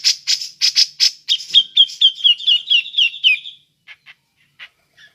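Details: Bird-luring ngepik calls of a grey-cheeked bulbul: several loud harsh rasps open, followed by a steady chain of sharp high 'pik' notes about two per second, then faint scattered clicks.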